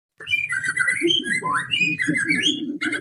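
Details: White-rumped shama of the pastol type, song used as a lure to make kept birds sing and get agitated: rich, fast, varied whistled phrases with slurred rising notes and chattering, delivered continuously.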